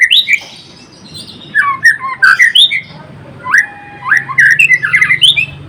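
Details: White-rumped shama, Murai Blorok variety, singing energetically: rapid runs of harsh, squawky notes mixed with sweeping whistled phrases, in three dense bursts separated by short pauses.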